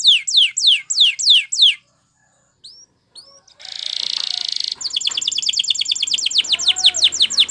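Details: Canary training song opening with rapid downslurred whistles, then a near-silent gap with faint chips. A harsh buzzy roll follows, then a fast metallic trill of repeated descending notes.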